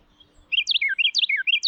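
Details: A male Carolina wren sings its loud, rolling spring song in eastern US woodland or a wooded backyard: a fast, bright chant of rich whistled phrases, each quickly repeated, like tea-kettle, tea-kettle. The song lasts about two seconds and is three-parted.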